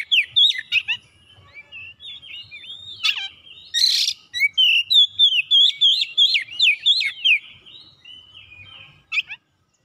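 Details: Kacer, the Oriental magpie-robin, in full vigorous song in search of a rival: rapid varied chirps and a sustained whistle, a harsh rasping burst near the middle, then a fast string of loud sweeping whistled notes, about three per second.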